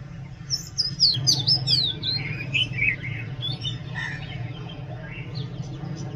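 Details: Oriental magpie-robin song: a fast cascade of high whistles sliding down into lower warbled notes, repeated about twice a second, fading into softer chirps, with steady low background noise.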